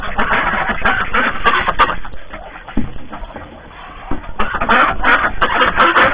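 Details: Several ducks on a first-snow January morning, hungry and talkative after being cooped up; loud quacking at the start, a quieter stretch mid-way, then renewed rapid chatter.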